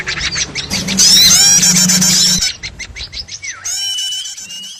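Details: Small birds calling in a trapping lure: a loud burst of high chattering and squeaky whistles, then softer scattered chips, ending with a clear down-slurred whistle and thin sustained tones.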